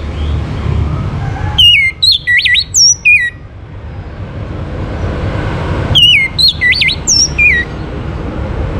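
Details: Orange-headed thrush singing, meant to prompt other birds to sing. Two bright whistled phrases, each opening with a rising whistle, then quick looping notes and a drooping final whistle, separated by a quiet gap with low hum.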